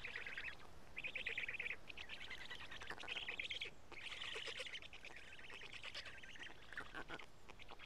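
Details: Feeding time at a Karula Black stork nest, 12:47 on 31 May 2017, with two big fish delivered; chicks give chattering, rasping calls in a string of short overlapping bursts.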